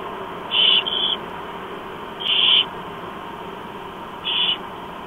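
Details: Barn owl nestlings, four in all, begging while a parent feeds them in early morning, Chula Vista, USA, October 2015: three rasping, hissy screeches, one doubled, over constant low noise.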